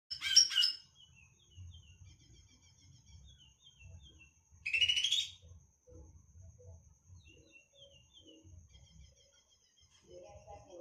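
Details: Greater green leafbird, agitated on hearing a tutor recording, gives two short loud harsh chattering bursts about four seconds apart over faint, steady, high whistled phrases and a low background hum.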